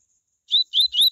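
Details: Brief burst of the tui tui style from a Double-collared Seedeater, a song meant to rouse other seedeaters to sing: three clean whistled notes, each gently rising then levelling, spaced closely together.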